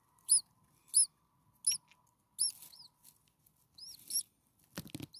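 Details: Six hungry common starling nestlings, a few days old, in a nest on their first day of filming. They give high, thin, arched squeaks, about seven in five seconds, singly or in quick pairs, with soft rustling near the end.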